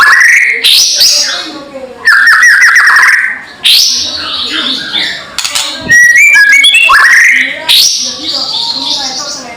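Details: White-rumped shama loud provoking call for angering rival birds: whistled phrases around mid pitch that slur upward, broken by harsh crackling bursts and bright high notes, in uneven spurts separated by short gaps.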